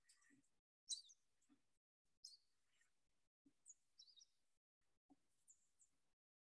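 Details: American Tree Sparrow in Iowa, a winter visitor usually found in flocks of its own kind, giving soft, high, tinkling chirps in short clusters about every second, with faint low murmurs beneath.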